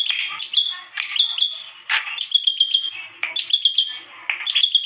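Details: Bar-winged prinia giving an unusual song: bursts of sharp, high clicking notes running into steady whistled tones, in phrases of about a second separated by brief pauses, with faint low rustling.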